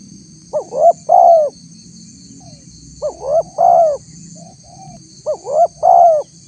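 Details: Spotted dove lure call for drawing a response from wild doves: three phrases about two seconds apart. Each has two quick upswept notes and then a fuller, longer coo. A faint high whine runs throughout.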